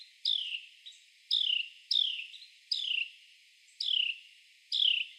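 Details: Male Carolina wren, clinging and crawling on a tree trunk, gives loud, sharp notes sliding downward about once a second, with fainter notes between them.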